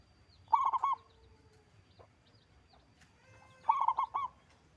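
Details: Two clear, fast-stuttering coo phrases, about three seconds apart, from a loud local zebra dove that sings often; a thin steady tone and quiet background otherwise.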